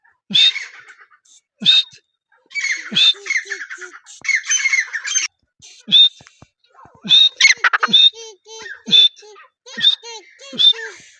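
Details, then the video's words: Francolin giving scattered harsh squawks and rasping chattered phrases in irregular bursts separated by short silences, with a few faint lower tonal notes in the gaps. "Teetar best sounds | Francolin call"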